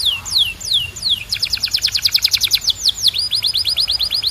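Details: Canary singing: a few slow descending whistled sweeps, then a fast rattling trill of repeated notes, ending in a run of rising-falling whistled syllables, all high-pitched and clear with no other sounds.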